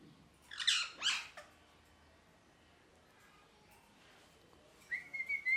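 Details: A parrot gives two rough, grating squawks close together, then after a quiet stretch a short run of wavering whistled notes.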